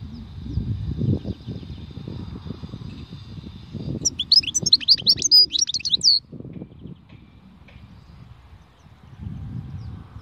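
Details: European goldfinch in khalwi song, a two-second burst of rapid, high twittering and slurred whistles set between stretches of low rumbling background noise and a faint steady hum.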